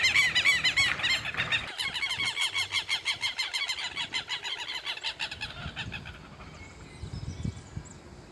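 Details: Two flocks of Southern lapwings, appearing to confront each other, call together in a loud, harsh, rapidly repeated chatter of high, grating notes that fades after six seconds, leaving a low rumble.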